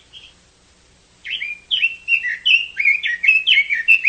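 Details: Chinese hwamei singing: after a brief opening note, a rapid run of loud, varied whistled phrases begins, slurred notes swooping up and down, about two or three per second, in a quiet setting.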